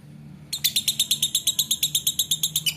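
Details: Lovebird performing ngekek, its long chattering song: half a second of quiet, then a sudden burst of sharp, scratchy high notes repeated evenly about seven times per second until the end.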